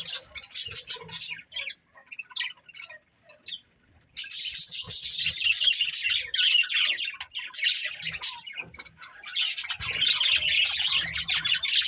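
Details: Breeding pair of budgerigars: scattered chirps, a near-silent pause, then a long unbroken stretch of loud, grating warbled chatter with short breaks.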